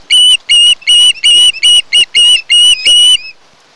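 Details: Osprey at its nest on Kent Island, Maryland, recorded on 1 August 2018 by a nest camera: nine loud, drawn-out whistled notes given in fast, slightly uneven succession, ending with a fading note.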